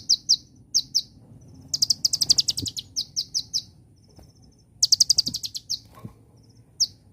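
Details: Celilin-flavoured song of an Olive-backed Sunbird: sharp high notes in pairs and runs, fast rattling trills around two and five seconds, and soft thin twitters between them over a quiet low hum.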